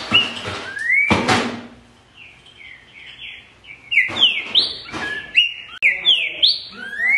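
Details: Green-winged saltator (trinca-ferro, Saltator similis) on an edited recording meant to prompt captive birds to sing gives loud, clear whistled phrases of quick rising and slurred notes in bursts, with a few sharp knocks and faint murmuring voices.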